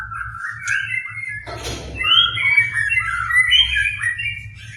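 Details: White-rumped shama song, played to rouse a shama that is slow to sing; clear mid-pitched whistled phrases, a brief noisy rasp, then a warbling run of varied notes, with a low background hum.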